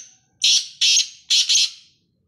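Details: Kala teetar (black francolin) calling loudly: four harsh, rasping, broadband notes, two evenly spaced singles followed by a tight pair, ringing out over a quiet background.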